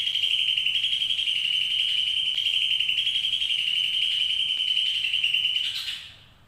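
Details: Greater green leafbird giving a long ngekek chatter: an unbroken, fast rattling trill held at one high pitch for nearly six seconds, then it fades out. No other sounds stand out.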